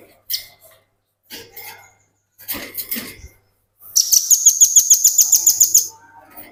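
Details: Velvet-fronted nuthatch in ngebren song, used to tutor other birds: scattered high chips and rustles, then a rapid run of bright, evenly spaced piercing notes lasting about two seconds.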